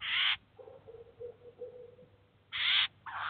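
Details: Eurasian jay with chicks at a cheese feeder, footage from 2019: three short, harsh, raspy screeches, one at the start and two close together near the end, separated by a faint low hum.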